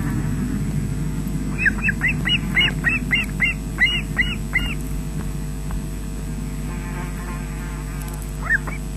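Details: Osprey on the Loch Garten nest, Scotland, webcam footage from 20 June 2012, 13:24, adult bringing fish to chicks; a rapid string of around thirteen piercing whistled cheeps, then a pause and two more notes, steady electrical hum beneath.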